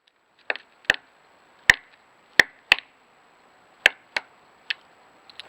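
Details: Pileated Woodpecker pecking, a fairly loud sound quieter than its drumming and likened to a carpenter hammering a nail: about nine sharp, hollow wooden knocks at an uneven pace, with short pauses between blows.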